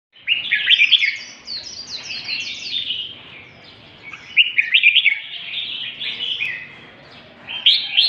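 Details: Northern Vietnamese red-whiskered bulbul singing in the lân tê style: three bright, warbling bursts of rapid chirps and slurred notes, at the start, near five seconds and at the end, separated by quieter gaps.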